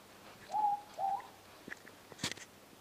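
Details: Morepork, or ruru, heard outside nearby at night, giving a single clear two-part hoot, a level note then a short rising note, followed by faint clicks and a brief rattle of handling noise.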